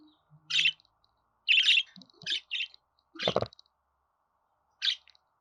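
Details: Budgerigar giving short, harsh, buzzy chirps in scattered bursts of one to three notes, with a brief low thump partway through and otherwise quiet gaps between calls.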